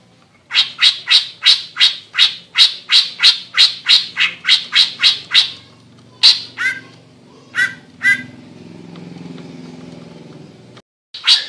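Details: Greater green leafbird in full song: a fast, even train of about eighteen harsh, squawking notes over five seconds, then a few scattered rasping calls and a low hiss.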